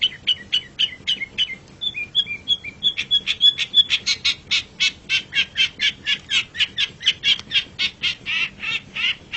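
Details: Master song of a long-tailed shrike for tutoring pet songbirds: rapid repeated sharp notes, about three per second, interspersed with short whistles, then a steady, insistent rattling series.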